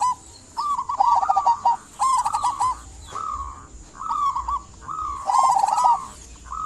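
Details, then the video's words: Actively singing local zebra dove, played to stir silent doves into song; rolling, stuttered coo phrases with slight upward inflections, about six bursts in the stretch, a thin steady hiss running throughout. "Perkutut lokal gacor buat pancingan perkutut pendiam agar bunyi"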